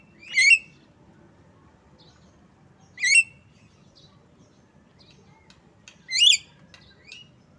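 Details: Asian pied starling making three stacked, nasal squawking notes about three seconds apart, with faint softer chips in between.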